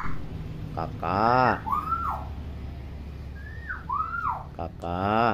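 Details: Talking hill myna, a tame pet bird said to copy any sound clearly: loud, rich, speech-like syllables that sweep up and down, separated by bright falling whistles, over a low steady room hum.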